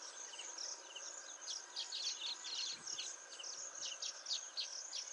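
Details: Male baya weaver at Motisagar pond, Agar Malwa: a busy stream of short, high, downward-flicking chirps, irregularly spaced, over a steady background hiss.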